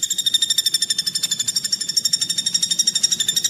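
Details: Greater green leafbird (cucak ijo) producing a steady harsh 'tembakan' trill: tightly repeated buzzy high notes, about nine per second, running unbroken throughout.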